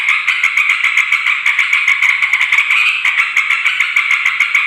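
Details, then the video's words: Loud, busy chatter of yellow-vented bulbuls used to call in wild birds of both sexes: a steady harsh jumble of notes with fast, irregular clicks running through it. "suara trucukan ribut || ngoceh memanggil terucuk liar"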